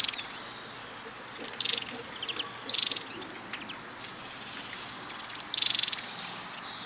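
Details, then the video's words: Long-tailed tits give thin, very high calls, some in quick buzzy bursts and rapid repeated trills, mixed with faint twittering. "Long-Tailed Tit Call"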